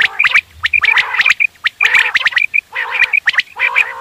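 A quail gives four bursts of rapid, clicking, gargled notes, each under a second long, with sharp high chirps over a throaty, buzzy chatter.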